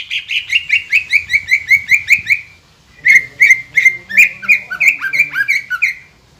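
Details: A caged green leafbird singing in full voice to spur rival birds on: a fast run of repeated, slightly descending whistled notes, a short pause, then another rapid series with rising and falling slurs.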